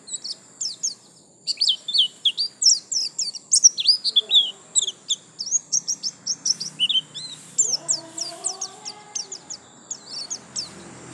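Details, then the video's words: White-eye (pleci) pouring out 'gacor lasroll' song: rapid, sustained strings of very high, sharp chirps and slurred whistles running for over ten seconds, with a brief low swooping sound near the end. "Pleci Gacor lasroll"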